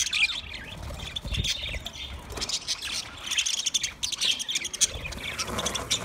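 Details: Twenty pairs of budgies chattering together in a continuous mix of high chirps, squeaks and warbles, with occasional low knocks and the sound of wings.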